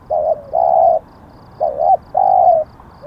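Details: Low mellow coos from a spotted dove kept as a decoy: two phrases, each a short note then a longer steady coo, the second phrase wavering upward before the long note.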